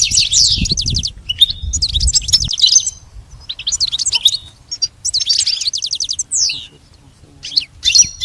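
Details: Goldfinch song recorded for training a pet goldfinch to sing: bursts of fast, high, tinkling twitters and buzzy trills, separated by short pauses, with brief clear whistled notes, over a faint low rumble.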